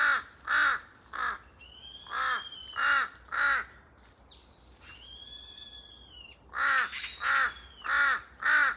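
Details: Large-billed crows, a noisy pair in forest, give rasping caws in quick series. A pause filled by another bird's high, tonal, drawn-out notes breaks the sequence before the crows resume with five more harsh calls.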